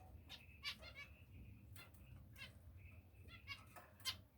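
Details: Finch calls: short nasal, harmonic-rich notes, some held briefly and others clipped, given in irregular bursts over a low steady hum.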